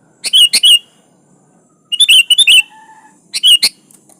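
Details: Sooty-headed bulbul in full song calling a rival, a tutor recording without other birds: three chattering phrases, the middle one longer with several quick slurred notes, followed by a faint thin whistle.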